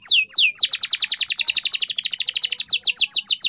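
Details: Canary song for training: two long falling whistles, then a rapid rolling trill of swept notes, slowing again into separate descending notes.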